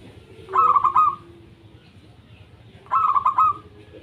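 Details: >Local wild-type zebra dove song used to prompt other doves to sing: two separate bursts of quick staccato, slightly buzzy notes, each a short chuckling run ending in a soft drawn-out tail, with a pause between.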